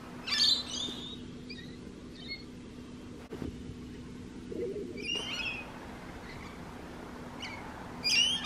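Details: Rainbow lorikeet calling: grating, shrill squawks at the start, again near the middle and at the end, with quieter stretches between and a constant low hum underneath.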